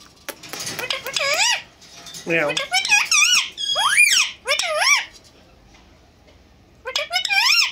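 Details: Indian ringneck parakeets, a pet pair kept indoors, talking face to face in Urdu and Hindi: bursts of squeaky, wavering, high-pitched speech-like phrases with rising and falling sweeps, separated by short pauses.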